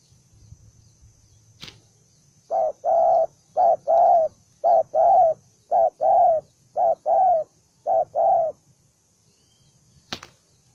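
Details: One combative spotted dove of the bổi đồng son kind, said to be very aggressive, delivers a steady series of about eight low double coos, a brief note followed by a fuller one, with a sharp knock near the end.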